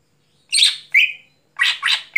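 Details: A greater green leafbird calling after dark gives a harsh burry note followed by a level whistle, then two more rasping notes, sharp and loud against silence.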